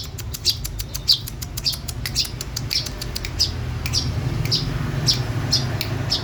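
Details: Female long-tailed shrike from East Java, singing vigorously, gives harsh, rasping notes repeated roughly every half second, each a short broadband burst, over a steady low hum.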